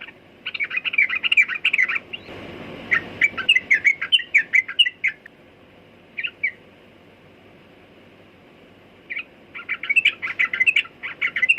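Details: Sooty-headed bulbul (trucukan) singing in bursts of bubbly, chirping notes near the same pitch, a long quiet gap after the sixth second, then a renewed burst; steady low background hiss.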